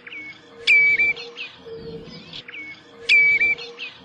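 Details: Common redshank uttering two whistled calls that drop and flatten, about two and a half seconds apart, above a constant low droning hum.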